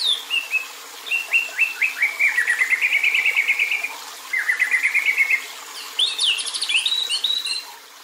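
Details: White-rumped shama giving kretekan, agitated rattling calls meant to provoke other males: two long fast rattles of dry clicking notes, then a burst of high twittering and whistled notes near the end.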